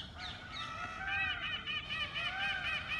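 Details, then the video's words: Wild male Indian peafowl in a refinery township at Vadodara, Gujarat, in October, the last month of the mating season, calling loudly to attract peahens: loud, nasal, honking cries with strong wavering overtones, run together in quick succession. "Peacock Mating Call"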